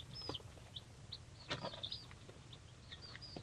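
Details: Three-day-old baby chicks of mixed breeds from a hatchery: thin, high falling peeps at irregular intervals amid scratchy rustling and soft knocks, with a low background rumble.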